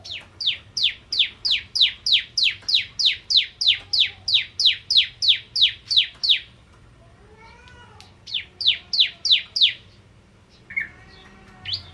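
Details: Bar-winged prinia singing energetically as a lure for crystal ciblek: a long even series of about twenty sharp downslurred chirps at a steady fast pace, a pause with a soft lower warble, then a shorter burst.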